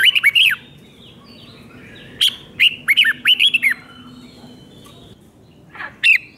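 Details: Thai red-whiskered bulbul performing a doubled five-syllable song played for young birds: a short opening phrase, a longer run of five or six bending whistles, and a single note after a pause.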